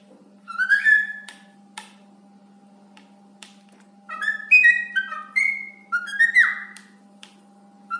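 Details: A happy pet cockatiel sings to a towel in rich whistled phrases, with sliding notes and harmonic overtones, in bursts.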